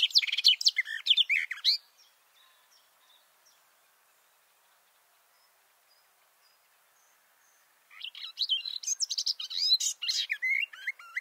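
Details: A male garden warbler, recorded close-up with microphones about two metres below him under a bush, pours out a fast, rich, babbling warble in two long bursts separated by several seconds of near silence with a few faint distant notes.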